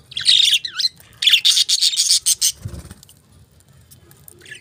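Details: Budgies chattering in quick bursts: a whistled, wavering chirp sequence, then a dense run of rapid harsh buzzy notes over about a second, fading into quiet with faint low thumps.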